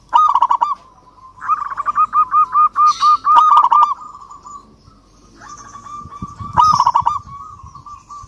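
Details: Local zebra dove calling a rival with emotional cooing: two strings of bubbly, arched notes separated by a quieter level tone, a low rustling noise near the end.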